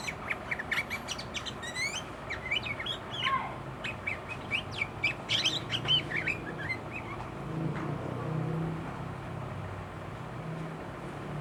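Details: Sooty-headed bulbul in an agitated mood reeling off learned fill-in phrases: a dense string of chirps, trills and rising whistles for about six seconds, then fading into low rumbling background noise.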